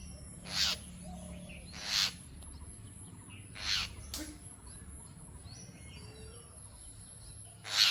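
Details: Jungle myna giving short, grating screeches at irregular intervals of one to two seconds, with faint twittering of other birds and low background hum.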